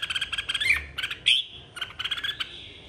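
A red-whiskered bulbul sings bright, chattering phrases of quick stacked notes with a few rising whistled slurs, repeated in short bursts over three seconds.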